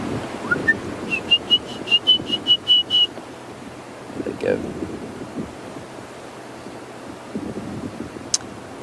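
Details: Two water thick-knees calling in fading light on a sunset game drive at Djuma and Arathusa, Africa, giving a run of about eight piping whistles, rising then steady and fading slightly, over engine rumble and wind.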